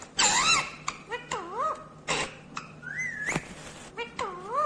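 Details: Indian ringneck green parrot mixing speech-like wavering phrases with a smooth rising whistle and sharp clicks, against a low background hum.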